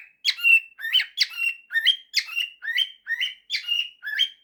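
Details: Male cockatiel kept as a pet, singing a mashup of 'September' and 'If you're happy and you know it': a steady run of squawky upward-sliding chirps, about two per second, each ending in a short held note. Nothing else heard.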